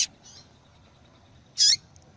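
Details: Female double-collared seedeater calling to excite males into song: one clear, high, slightly warbled chirp near the end, with a brief call fragment at the start and quiet surroundings.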